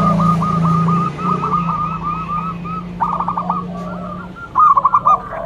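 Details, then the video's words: Local zebra dove, loud and used as a lure bird, gives spaced bubbling coos and short stuttered runs over a steady low droning hum that fades midway. "Perkutut lokal gacor mental bagus suara NYARING pikat super"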